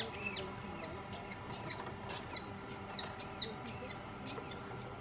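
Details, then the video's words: A young Alpine chough at Rochers de Naye begs for food with high, arched, squealing notes, about two per second, over a faint low hum. "Young Alpine Chough begging for food"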